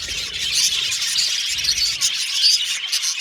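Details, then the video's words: Colourful pet budgies from Australia in a busy chorus, with overlapping high twittering and squeaky whistles running without a pause. "Australian Budgies Birds Singing & Chirping Sound"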